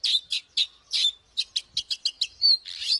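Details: Oriental magpie-robin fighting song, clipped high notes at first spaced apart, then a quick run of short chirps, ending in a thin whistle and a buzzy burst.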